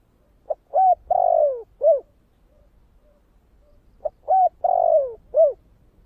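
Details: Spotted dove singing the 'thổ' voice for provoking wild doves, two phrases some three and a half seconds apart, each a short pip, a clear coo, a long downward-sliding coo and a rounded final note.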